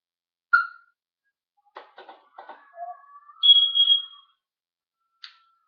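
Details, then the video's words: Talking parrot filmed on 1 June 2013: a sharp chirp, then a run of clicky scratchy notes, a low short whistle, and a loud steady high whistle held about a second, ending with a brief chirp. "The Talking Parrot"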